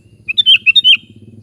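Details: A kutilang, or sooty-headed bulbul, delivering one quick phrase of four or five clear, liquid whistled notes, bouncing up and down, with a soft low murmur behind.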